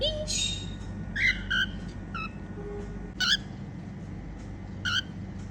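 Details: Female cockatiel singing and making happy sounds: short whistled notes and chirps, a few rising, spaced over several seconds against a steady low background hum.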